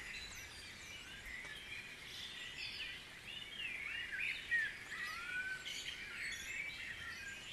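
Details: Guisborough dawn chorus with many birds singing together: twittering phrases and curving whistled notes overlap continuously, a few clearer slurred whistles standing out near the end against a soft background hiss.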